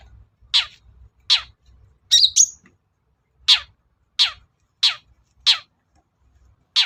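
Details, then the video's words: Long-tailed shrike lure call: harsh, descending rasping notes repeated about every 0.7 seconds, broken once by a squeaky, twisting double note, with a low hum beneath. "BURUNG CENDET GACOR || SUARA PIKAT CENDET SUSAH BUNYI"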